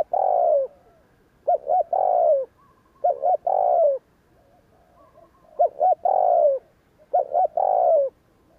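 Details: Spotted dove coo in the 'gù kích' style meant to provoke wild doves: four phrases of two quick notes plus a drawn-out falling coo, with a longer pause midway and faint soft cooing.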